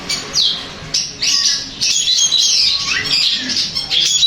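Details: Long-tailed shrike song intended to make another shrike respond, with harsh scratchy phrases and down-slurred whistles flowing almost without pause.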